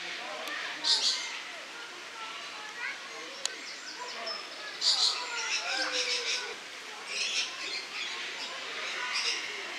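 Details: Lorikeets recorded in August 2015 giving piercing, rasping screeches in separate bouts, each a dense cluster of harsh notes, with softer squeaky chatter between them.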